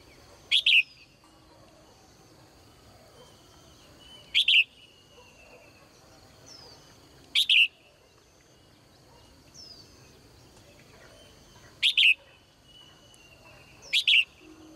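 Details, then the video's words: Caged female bird chirping in the morning: five sharp, high double chirps over about fifteen seconds, repeated every three to four seconds, with faint soft twitters and gentle background hum between calls. "นกตัวเมียร้องเจื้อยแจ้วในยามเช้า , เสียงนกร้องในกรง"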